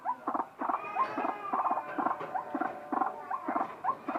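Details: Rhythmic, harsh double croaks from a white-breasted waterhen, interspersed with short upslurred nasal notes, forming a continuous unusual chatter.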